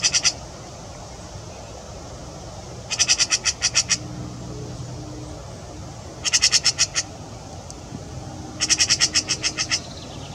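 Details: Eurasian magpie in Wuppertal, Germany, giving three bursts of harsh, rattling chatter, each a rapid run of six to eight dry notes, separated by pauses of a few seconds over low background rumble.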